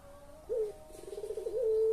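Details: A pelung collared dove coo meant to entice silent birds to call: a brief upward-hooked note, then quick rolling pulses, ending in a held steady tone that runs past the cut.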